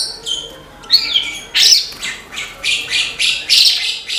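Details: Horsfield's bush lark (branjangan) song: a few thin whistles, then a series of short scratchy high bursts repeated about every half second.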